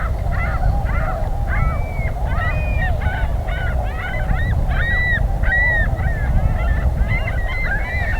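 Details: Migrating Tundra Swan flock resting in spring near Pinery Provincial Park, southwestern Ontario, en route from wintering to northern breeding grounds; a dense chorus of hooting, slightly rising and falling honks, several per second, over steady low rumble.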